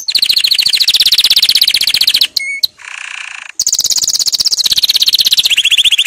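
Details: Canary's powerful training song: loud, fast rolling trills pulsing about four times a second, broken by a brief whistle and a short noisy burst, then resuming with a trill that steps down in pitch.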